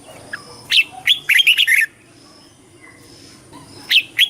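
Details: Red-whiskered bulbul in competition singing, flock-calling and voice training: a few isolated chirps, then a quick run of five rich warbled notes, a quiet pause, and two more sharp chirps at the end.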